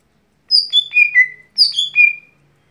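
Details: Everyday song of a lesser green leafbird, known locally as gotri: two quick phrases of sweet whistles, each sliding down in pitch through three or four notes and ending in a sustained lower tone, with a faint low hum.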